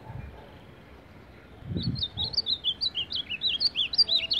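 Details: Champion baderna singer, an Ultramarine grosbeak, starting after a second and a half of near silence and pouring out a fast, bright string of looping whistles that zigzag in pitch and grow louder toward the end.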